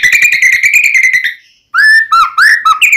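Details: Murai batu, the white-rumped shama, singing as a lure to make another shama sing: a steady fast buzzy rattle, a pause, then loud slurred whistles rising and falling.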